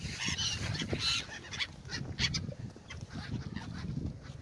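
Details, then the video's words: Gulls eating bread on the Oder river in Frankfurt (Oder), Germany: a flock's harsh, nasal calls overlap in quick bursts, with low rumbling wind and water noise beneath. "seagulls are eating bread in the oder river"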